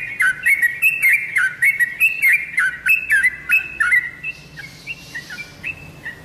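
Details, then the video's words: Lure recording of a yellow-vented bulbul, used to draw answers from kept birds: rhythmic gurgling whistled phrases with sharp up-and-down notes, roughly three per second, thinning out toward the end. "BURUNG TRUCUKAN ANDA PASTI LANGSUNG NYAUT DENGAN SUARA PANCINGAN INI"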